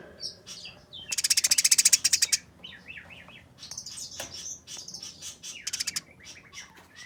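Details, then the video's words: Fighting Eurasian tree sparrow making harsh, rapid chatter: one loud burst of close-set buzzy pulses for over a second, then scattered thin chirps and twittering notes, and a short second chatter near the end. "Burung Gereja Tarung Nyerecet Kasaran Speed Rapat Suara Jernih"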